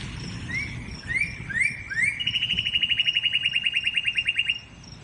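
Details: Northern cardinal song, offered as a tutor recording for training songbirds: a few rising slurred whistles, then a fast, even trill of about twenty clear repeated notes, all on one pitch, over a low background rumble.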